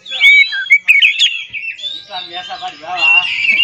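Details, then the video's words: Oriental magpie-robin singing to provoke rival magpie-robins into song: bright, sliding whistles run into a long, wavering, warbled phrase, with a faint lower hum behind the later notes. "PANCINGAN KACER TERAMPUH DIDUNIA"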